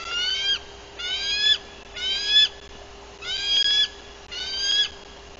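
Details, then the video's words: Female bald eagle arriving at her nest in Bluff City, Tennessee, on 14 April 2023, on guard and giving alert calls, filmed by a nest livecam: five high, thin, whistled chittering bursts, roughly one per second, each with stacked harmonics. "Frances Arrives with Lengthy Alert Vocals"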